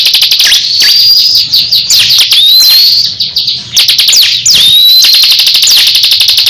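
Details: Two kept songbirds in a singing duel: high, thin whistles slide up and down over a dense run of rapid dry ticks, with the second bird seeming to answer in close overlap.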